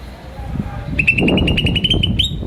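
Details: Green starling chirping: a quick run of about a dozen short, bright, evenly spaced chirps at a steady pitch, starting after a second of low background rumble.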